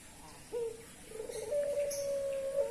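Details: A dove in breeding condition coos: one short hoarse note, a pause, then a long steady low hum that holds on one pitch for over a second, with faint background hiss.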